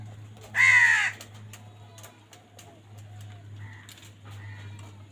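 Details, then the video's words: A loud rasping caw opens as crows fight for food, followed by two faint short calls and a continuous low hum. "কাকের ডাক Crow Sound Crow ki Awaz Loudly | Crow bird Fight for Food"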